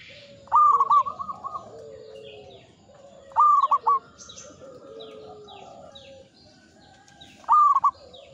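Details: Singing local zebra dove in the ngepat rhythm of Mataram: three separate brief bursts of fast coos several seconds apart, while soft sliding whistles and high chirps from other birds fill the gaps.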